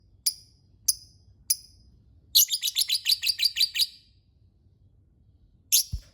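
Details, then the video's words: Lovebird calling: three sharp, very high chirps spaced about half a second apart, then a fast run of about ten shrill chirps, then silence and one more piercing chirp. "Suara lovebird"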